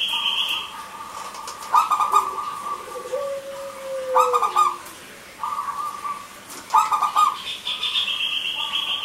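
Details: Local zebra dove repeating short pulsed song bursts roughly every two to three seconds, a lure for doves that have gone silent; higher whistling birds and a gliding low whistle run underneath.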